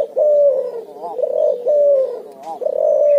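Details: Lively ngoar nguku cooing from a cuhu, the hybrid of Barbary dove and spotted dove: a continuous chain of low, rolling coos broken by quick quavering warbles.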